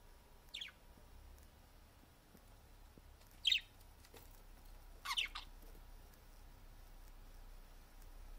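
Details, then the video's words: Parakeets flirting: a parakeet chirps in three short, scratchy bursts over about five seconds, the last a double note, with a faint steady hum underneath. "Parakeets flirting"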